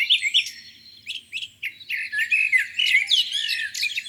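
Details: Spring morning at a lake, birds in song: scattered short calls and chips build into a busy, squeaky twittering chorus, with a faint low hum underneath.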